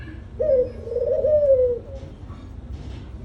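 A dove gives a soft, low hooting coo, a short note followed by a longer drawn-out one that sags slightly at the end, over faint room hum.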